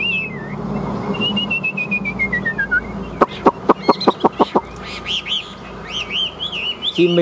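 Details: Chinese hwamei kept in a cage, singing competitively with spread tail: a long descending whistled glide, then a quick series of loud clicks, followed by lively looping warbled whistles.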